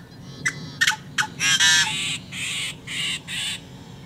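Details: A Yellow-headed blackbird sings, apparently in summer wetlands along the Great Salt Lake. It gives three sharp clicks, then a long harsh, rasping screech and four grating, buzzy bursts over about two seconds.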